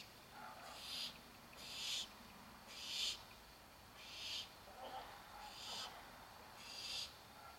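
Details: Baby barn owls awaiting dinner give breathy hissing screeches roughly once a second, with faint lower murmuring sounds between some bursts.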